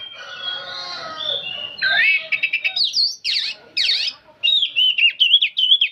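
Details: Nonstop song of an old oriental magpie-robin: a hoarse, scratchy opening gives way to loud, ringing whistles, sharp V-shaped swoops and a fast, warbled trill.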